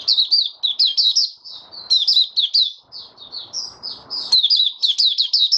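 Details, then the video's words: White-eye (mata puteh) opening its song to steady its form: energetic, continuous high twittering with rapid chirps and slurred notes, loud and clear, with a faint rustle in the middle. "Mata Puteh Raja Stablizing his form buka sing"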